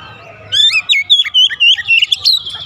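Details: Singing Oriental magpie-robin, meant to stir reluctant birds into song; a low hum opens before a lively, varied sequence of sharp whistles and twisting chirps runs continuously.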